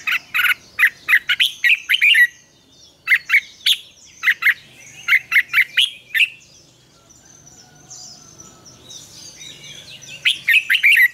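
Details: A red-whiskered bulbul sings its double-note wild-style morning song, used to train other bulbuls: long runs of lively whistled syllables in quick groups, a quieter stretch of soft twittering, then a loud warbled burst at the end.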